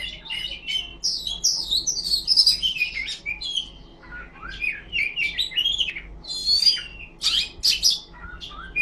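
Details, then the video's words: Long ngipas song from an Oriental magpie-robin, or kacer: varied phrases of sweeping whistles, down-slurred notes and chatter, with short pauses between bursts and a soft low hum throughout. "Suara burung kacer ngipas thes best plong"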